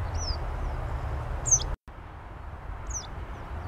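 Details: Western yellow wagtail in summer on wasteland amid urban housing in Saint Petersburg; three high, thin, down-slurred calls spaced about a second and a half apart, the first soft, over low city rumble with a brief dropout.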